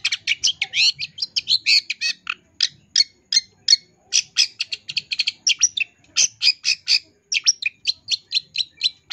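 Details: Long-tailed shrike song for training caged birds, an energetic full isian tambakan style recorded in 2022: a fast, dense run of short high chirps and buzzy notes, briefly broken by small pauses, with no other sounds.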